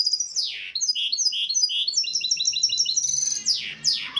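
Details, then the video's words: Song of a misto hybrid canary, recorded for tutoring chicks: steep falling sweeps, a run of round repeated notes, then fast stacked trills and more sharp descending swoops. "شريط طائر الميستو الهجين للتحفيظ الفراخ"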